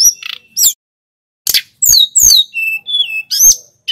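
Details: Snowy-browed flycatcher song used to stimulate other songbirds: clipped high notes, a short gap, then slurred downward whistles and flat, steady whistled tones.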